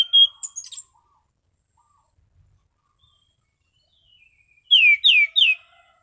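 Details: Relaxed, clear "ngeplong" singing by a caged Orange-sided thrush: a brief high warble at the start, then, after a quiet spell, three loud downslurred whistles in quick succession.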